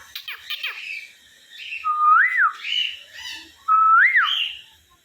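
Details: Young pet sun conure, just brought home, mixing scratchy chatter with two loud whistled notes that hold steady and then swoop upward, each followed by rough squawks, about two seconds apart.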